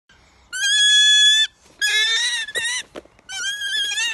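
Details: Fawkes, a hand-reared female Wahlberg's Eagle, very vocal on seeing her keeper, gives three loud, drawn-out calls: a steady, nasal scream of about a second, a wavering, broken chatter, then a quavering scream.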